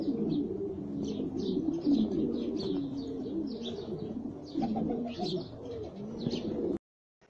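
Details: Tiny Jafari pigeons, named as the smallest pigeon breed worldwide, several cooing at once in a dense, overlapping, throaty murmur with brief high chirps scattered above, then sudden silence near the end.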